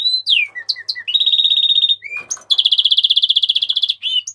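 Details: A Mexican rosefinch sings long, fast, buzzy trills that hold one high pitch. Short slurred whistles and a falling note break between the trill runs.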